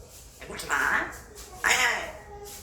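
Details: Five-year-old male pet African grey parrot attempting English indoors: two hoarse, speech-like syllables about a second apart, each bright and slightly rasping, with quiet room background between them.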